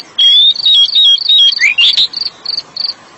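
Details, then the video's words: Oriental magpie-robin song played as therapy for stressed magpie-robins: a loud run of clear whistled phrases, some slurred and one sharply rising, followed by a steady train of short high chirps about three per second. "SUARA BURUNG KACER"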